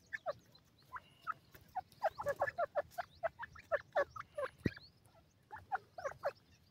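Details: Young grey francolins in Pakistan, feeding and playing, make busy bursts of brief chirping peeps, sometimes doubled, scattered irregularly throughout, over faint low background noise and one sharp knock.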